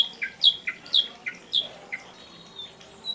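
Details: Ashy drongo in a tutor recording for songbirds: short, sharp chirped notes, several sliding steeply downward, about eight in three seconds and unevenly spaced, over a faint steady hiss.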